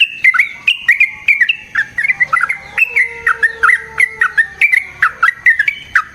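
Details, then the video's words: Lure song of a yellow-vented bulbul, meant to provoke other bulbuls into answering: a fast, continuous chatter of bubbly, slurred whistled notes, each dipping and rising, repeated several times a second throughout. "Burung TRUCUKAN GACOR Ropel Panjang Cocok untuk PANCINGAN Trucuk"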